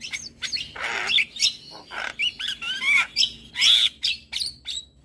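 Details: White-eyed Javan myna in full morning song, played to train other birds: loud broken bursts of harsh chatter mixed with short slurred whistles, steady low hum behind.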